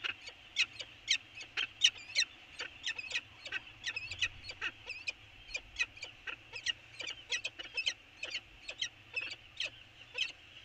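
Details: Early exchange between peregrine falcons at Anacapa, 24 January 2020: a long run of sharp, grating kak notes, rapid and fairly regular, with some notes louder than others, over faint low rumble.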